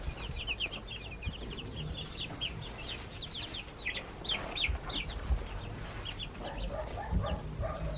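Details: A group of backyard baby chicks chirps in quick high peeps, with some lower chatter-like sounds toward the end.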